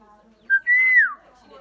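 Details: Common myna, a bird said to pick up human sounds, giving a brief whistled note and then a long, pure whistle that stays level before sliding down.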